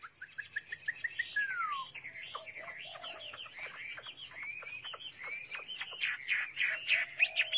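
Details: Fairly quiet Chinese hwamei song of varied whistles: a slurred descending note early on, then many quick up-and-down sweeps and short rising phrases that grow louder toward the end.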